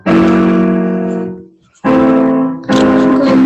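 Sustained piano or keyboard chords ring out indoors, with no animal sounds heard.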